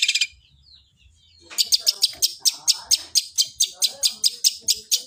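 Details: Fighting long-tailed shrike with sparrow-voice suara gereja song: a brief chirp burst, a quiet gap, then a steady run of sharp high chirps, about three per second.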